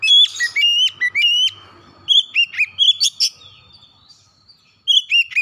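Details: Oriental magpie-robin song played to get a reluctant house bird singing: rapid whistled phrases with upswept notes, a brief lull, then more warbled whistles.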